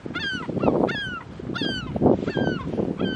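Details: Fighting herring gulls give harsh, downward-slurring yelps that overlap in quick bursts, about four in three seconds, over low scuffling and flapping noise.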